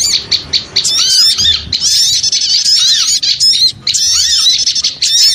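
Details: Small birds calling in a busy lure, a few separate chirps opening before a thick stream of squeaky, scratchy chatter with arched slurred notes and brief pauses.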